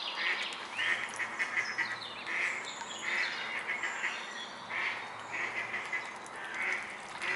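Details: Young mute swans giving clear, high peeping calls in small bursts, several peeps per burst, repeated steadily over a few seconds against a faint background hiss.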